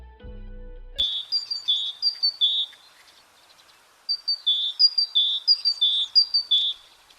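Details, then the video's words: Great tit (yellow-breasted, black cap, white cheeks) singing bright, high two-note see-saw phrases in two quick runs of about five each, after a brief burst of low noise. "це синичка послухайте як співає синичка [музика]"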